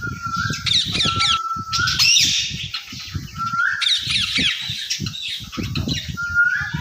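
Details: Talking ringneck parakeet giving repeated loud harsh squawk bursts roughly every two seconds, each led by a thin flat whistle, with clattering and bumping sounds throughout.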